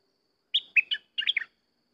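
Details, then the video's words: Sooty-headed bulbul delivering one crisp phrase of three clear notes followed by a tight burst of three more, bright and bubbly, in otherwise silent surroundings. "Burung merbah lekir bay hoach thom gacor bahanan"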